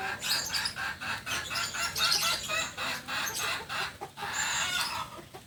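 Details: Kukuak Balenggek chicken, native to Solok, at a 2023 record-setting event at Penas in Padang city. It gives a long, harsh, stepped crow of rapid rising and falling syllables, about four per second, with brief dips between phrases.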